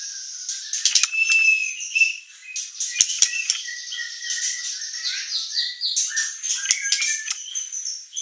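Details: White-rumped shama, singing murai batu used as training song to provoke other birds, with loud clicks, a held whistle, and then a long varied stream of chattering and sliding whistled notes.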